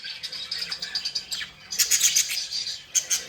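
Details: Happy, playing budgerigars trilling and chirping in a steady high warble, with louder quick clicks and chirps midway.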